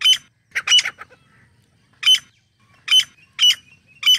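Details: Grey francolin, the teetar: short harsh squawking notes given in separate bursts, a double phrase first, then single loud notes roughly every half second to one second, with quiet gaps between.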